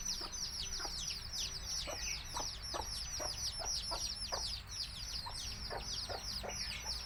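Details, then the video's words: Country chickens' baby chicks give a continuous overlapping chorus of high, falling peeps, several birds at once, with short low knocks or clucks scattered every half second or so over a low hum. "Cute Baby Chicks Chirping Sounds"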